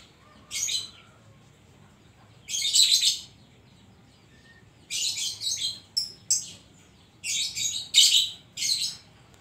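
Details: Caged Oriental magpie-robin (kacer) singing a filled 'isian' song: short, loud bursts of rasping, high chattering notes spaced a second or two apart, with a brief soft whistle between phrases.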